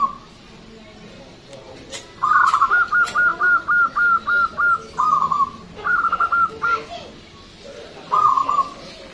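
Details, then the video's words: Loud local Zebra dove, known for a big, long song and kept as a lure for other birds, utters a long string of evenly spaced clipped coo notes, then shorter stuttered groups, against a soft hissing background. "PERKUTUT LOKAL GACOR SUARA BESAR DAN PANJANG"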